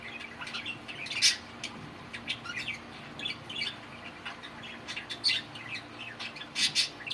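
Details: Pet male budgerigars in talking chatter, giving rapid high twittering warbles broken by a few sharper, louder chirps near the start and end, against a soft background hum.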